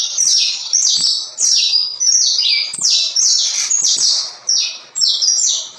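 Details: Saffron finch delivering a dense, ringing song of steep downward-sliding notes, bursts of about a second separated by short dips, clean with no background noise.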